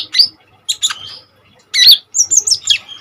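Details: Common iora singing energetically, a recording meant for training other birds: bursts of sharp, squeaky chirps and slurred high whistles, harsh and loud, separated by short silences.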